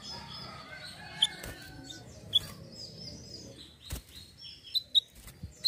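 Hill blue flycatcher gives sharp, high ticking notes at irregular intervals, with faint thin whistles between them and a few dull knocks and rustles.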